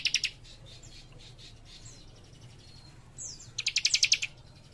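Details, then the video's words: A young cikrak gives a brief trill at the start. After a quieter stretch of soft notes, a downslurred whistle leads into a louder rapid pulsed trill of high chirps. "Cikris Muda Gacor Nembak Rapat"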